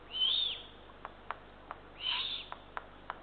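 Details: Eurasian eagle-owl nest with three ringed chicks, night feeding on 23 June 2023. Two loud, harsh breathy screeches, the first slightly rising, followed by a few sharp ticks.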